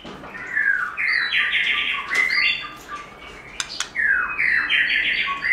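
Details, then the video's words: White-rumped shama singing its forest-style song: a run of loud, varied whistled phrases, some sliding and some stepped, delivered in quick succession with brief pauses between. "Chòe Lửa Hót Giọng Rừng"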